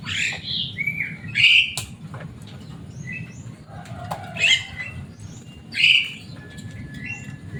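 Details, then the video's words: Pet Javan myna, a caged bird noted for its loud, noisy voice and talking ability, uttering three bright squawking notes spaced over several seconds among faint clicks and hum. "Burung jalak kebo selain suaranya yang rame ada kelebihan nya bisa bicara"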